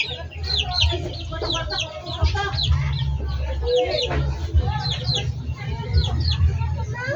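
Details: Chickens in a backyard poultry flock, many birds calling at once: dense, overlapping high chirps and short clucks in quick succession throughout, over a steady low hum.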